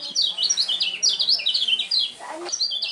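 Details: High, rapid song of a lemon-bellied white-eye, a champion contest bird with a unique voice: tight strings of sharp slurred notes, briefly interrupted by a short knock before resuming.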